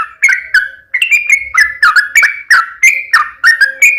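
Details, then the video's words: Sooty-headed bulbul singing steadily: short liquid whistled phrases, each dipping and rising, about three per second in a rolling, chattering run. "KICAU SUARA trucukan gacor"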